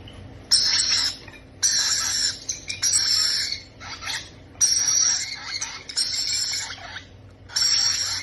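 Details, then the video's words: Being fed, parrot chicks give repeated loud, coarse, buzzy squawks, roughly six long bursts about a second apart, with scratchy fragments between them and a faint mechanical hum. "feeding babies parrot"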